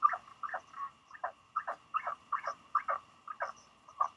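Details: Northern royal albatross chick, about six weeks after hatching, at Pukekura/Taiaroa Head, New Zealand, checking whether a visitor is its parent; rough, clacking double and triple notes repeated steadily, roughly two groups per second, with low constant hum.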